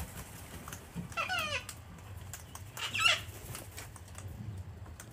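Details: Flock of wild cockatoos hand-fed on a deck at an Australian home, winter, cold and wet weather; two separate grating, buzzy screeches a couple of seconds apart over steady low background rumble.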